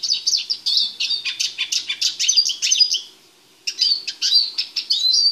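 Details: Caged male Eurasian siskin kept in a small cage while being prepared for mating, before moving to a female in a larger cage. Rapid, high twittering song of chirps, trills and thin whistles, pausing briefly midway then resuming with sharp notes.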